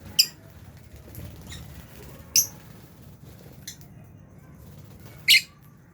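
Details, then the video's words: Lovebirds, Albino and Fisher's, feeding in an aviary: four short, isolated, high scratchy chirps spaced a second or more apart over a quiet low background hum. "Lovebirds Chirping Sounds"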